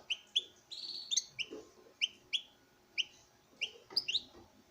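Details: Male European goldfinch, bred in captivity, singing before a female: bright twittering notes with short downward-sliding chirps spaced irregularly, plus a few quick tinkling trills and soft faint clicks beneath.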